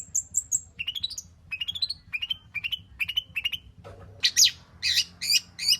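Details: Long-tailed shrike song used as a lure to make other birds sing, packed with mimicked material: thin high whistles, then rising repeated chirp series, a brief low note and loud harsh buzzy notes at the end.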